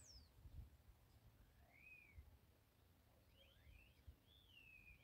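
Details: Starlings sing on a linden tree on March 28, faint slurred whistles, some sweeping up and others gliding down, over a steady low rumble.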